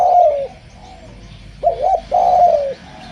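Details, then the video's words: Spotted dove in full song, good for luring other doves: the tail of a long falling coo, then a quick double-wavering note and another sustained descending coo, over a soft low hum. "SUARA BURUNG DERKUKU GACOR ENAK DIDENGAR || BAGUS BUAT PANCINGAN"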